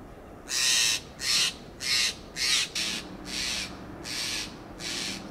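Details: Steller's jay (Cyanocitta stelleri) call: seven harsh, raspy notes in a fast, even series, about one every two-thirds of a second, over a faint low hum.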